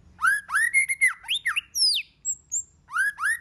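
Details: White-rumped shama song in many voices, used to trigger other shamas to sing: rapid rising whistled notes, swooping slurs, a high thin descending whistle and a soft high tone, packed closely together.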